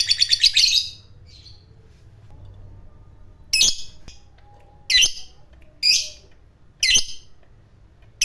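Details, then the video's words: Fighter lovebird, kept by bird hobbyists: a short burst of rapid harsh notes, a pause, then five loud buzzy squawky chirps spaced about a second apart. "Pancingan Lovebird fighter Ngekek Panjang,Suara Burung Lovebird Gacor Ngekek Panjang"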